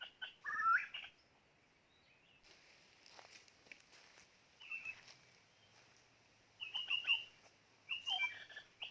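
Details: Decoy white-rumped shama singing short separated phrases of bright whistles and chattering notes, with long quiet gaps and faint background rustling between them.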